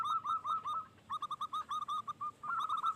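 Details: Local zebra dove in full song, used as a lure to draw other doves into calling: a steady run of short, rounded cooing notes at one pitch, delivered in quick bursts with brief pauses between groups.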